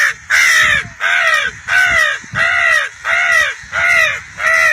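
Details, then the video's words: Crow cawing steadily, seven loud harsh caws spaced roughly every two-thirds of a second, each with a slightly falling, nasal tone, with no other clear sounds. "KING of CROWs آواز پے کوے بھی حاضر"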